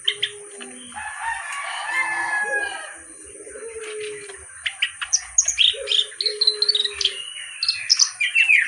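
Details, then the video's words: Kerak basi, a reed warbler, sings: scratchy, grating notes at first, then fast runs of sharp chattering syllables mixed with short whistled tones. "BURUNG KERAK BASI GACOR CENGKOK LAGUNYA OK"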